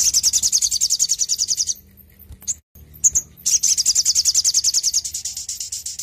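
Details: Lively sogon song for training and prompting birds: a high, rapid trill of repeated sharp notes runs nearly two seconds, then a few scattered chips, then another long trill to the end.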